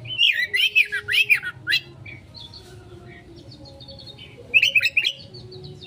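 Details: Konslet-style Oriental magpie-robin song played as a lure for a fast response: rapid looping whistled notes in a dense opening burst, then scattered thin high notes, ending in another quick burst of twittering.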